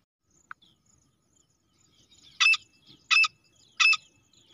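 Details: Female grey francolin (teetar) used in hunting gives three loud, harsh, scratchy double notes about two-thirds of a second apart, with faint thin chirps behind.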